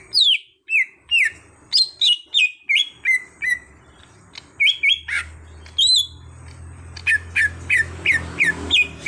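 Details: Whistled gacor song of a cucak hijau (greater green leafbird) raised from an untrained bird: rapid falling notes in quick succession, a short pause, then renewed sharp slurred whistles over a low hum.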